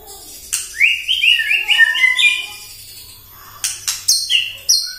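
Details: White-rumped shama in full morning song, used as a lure to agitate other shamas: a sharp note, then a rapid rolling run of bright whistled notes, a short pause, and several crisp high accents.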